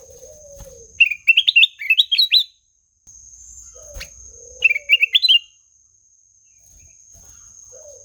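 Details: Melodious song of a black-naped oriole: two bursts of rapid, high, upward-sweeping chirps, each about seven or eight notes, separated by a pause. Soft low whistled notes, a constant shrill background tone and occasional knocks are also heard.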